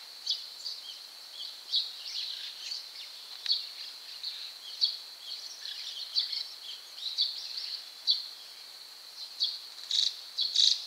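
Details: White-cheeked starlings, two apparently trying to help a third stuck in a gap in a storm shutter by repeatedly climbing on it: short, scratchy high chirps in irregular bursts, often several a second, over a steady thin high-pitched hum.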